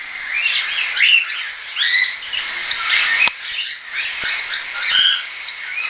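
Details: Young hand-tame cockatiels, some weaned and some still hand-fed, flying, recorded 10 September 2012; a lively series of short chirped, rising calls around a steady hiss, with a sharp click midway.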